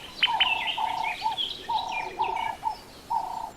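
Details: African guineafowl in an African jungle setting, one of a large flock: steady tonal notes near one kilohertz repeated in short bars, with higher sharp chirps and clicks above and other birds calling behind.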